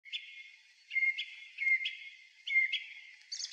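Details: Song thrush singing from the top of a tall pine by a former railway crossing, early April evening around seven: clear whistled phrases near the same pitch, each repeated two or three times, with a brief high squeaky note at the end.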